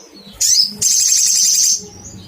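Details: Shrill call of a little spiderhunter looking for a rival: a sharp high note, then a continuous loud buzzing trill of about a second, fading to quiet hum.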